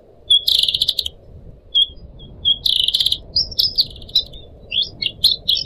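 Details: Caged pet Pied Triller, one of four kept birds, singing: sharp high chirps followed by bursts of buzzy, rapid twittering phrases and short rising whistled notes, over a steady soft background hiss.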